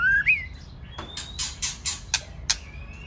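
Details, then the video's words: Male white-rumped shama singing in the clicking style, with a female singing alongside. A rising whistle and a long thin whistled note are followed by a series of sharp broadband clicks and rasps. "Chòe lửa[ TRỐNG TẠCH KÈM MÁI HÓT ]"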